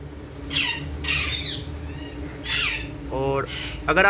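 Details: Pet Indian ringneck parrot, a talking bird kept at home, giving harsh, raspy squawks in short bursts, then a couple of nasal, buzzy calls, over a steady low background hum.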